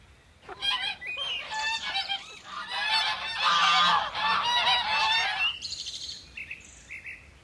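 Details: Farm geese calling together in a sustained harsh, nasal chorus of overlapping honks for about five seconds, then fading, with small birds chirping behind.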